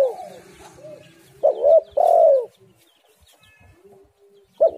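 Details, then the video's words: Spotted dove call used to lure doves into singing: soft low notes lead into one full phrase of two short coos and a long falling coo, and a further short coo starts at the end. "tekukur super gacor suara yang di nanti nanti semua burung"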